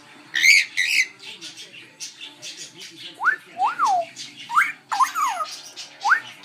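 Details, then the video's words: Baby African grey parrot trying to talk and copy its owners, mixing harsh squawks with several clear whistled notes that swoop up and down, repeated every second or so. "Baby African Grey’s first atttempt to talk and mimic us"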